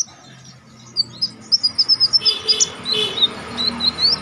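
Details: Konin singing for contest-bird training: after a quiet start, a run of evenly spaced high chirps, then thinner twittering slurs over a faint background hiss.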